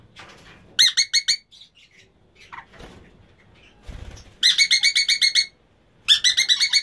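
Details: Emma's conure breeding pair: three bursts of fast, harsh, evenly spaced screeches, with quieter scratchy calls and a low rustling noise between them.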